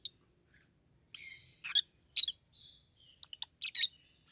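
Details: Paired rosy-faced lovebirds, yellow and green with red heads: a drawn-out, buzzy chatter, then piercing chirps and clipped squeaks at irregular intervals.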